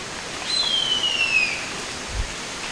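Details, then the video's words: A female harpy eagle calling for her mate gives one thin, high, wailing whistle that slides steadily downward for about a second, over a soft steady hiss. "Eerie Sound of a Harpy Eagle Call"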